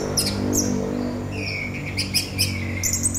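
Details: Orange-headed thrush singing in a rapid, dense style with short chirps, quick high twittering notes and a drawn-out slurred whistle, all over a constant low droning hum.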